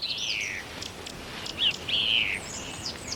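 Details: A song thrush in Ayrshire woodland sings its repeating song of loud, clear, high phrases (a falling whistle, sharp chirps, then a ringing note) over faint hiss, answering another song thrush in the distance.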